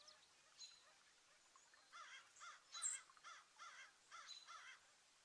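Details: Garden birds at feeders in New Jersey, northeast USA, on a partly cloudy day of 36 to 50 F, 5 April 2024, when a 4.8 magnitude earthquake struck; a series of about seven harsh, raspy caw-like calls, one loud sharp click midway.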